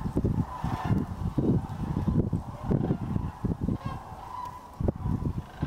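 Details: Wintering Sandhill Cranes at the Hiwassee Wildlife Refuge near Dayton, Tennessee, on December 31, 2023: distant rolling, trumpeting calls from several birds, partly buried under heavy low rumbling wind noise throughout.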